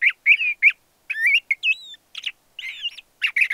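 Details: LeConte's thrasher: phrases of clear whistled and slurred notes, some rising and some falling, with burry squeaky elements between short pauses.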